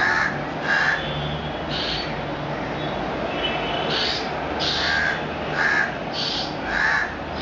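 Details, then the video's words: A 45-day-old juvenile black-billed Asian koel (Eudynamys scolopaceus melanorhynchus), raised by crows, gives harsh crow-like caws, about eight rasping notes a second or so apart, over a low hum, as it tries to imitate its crow foster parents. "Juvenile Koel tries to imitate crow parents"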